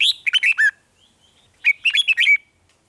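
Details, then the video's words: Caged red-whiskered bulbul from Thailand, its song used to stir up other caged birds: two quick phrases of warbled, slurred whistles, the second ending in a thin rising note, separated by a short pause. "เสียงนกกรงหัวจุก ร้อง ริก เปิดให้นกฟัง ยั่วให้นกคึกจัด"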